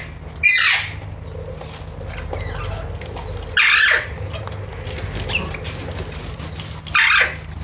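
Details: Alexandrine parakeet (Psittacula eupatria): three short, loud, harsh squawks spaced about three seconds apart, with quiet faint chatter between them and a low hum behind.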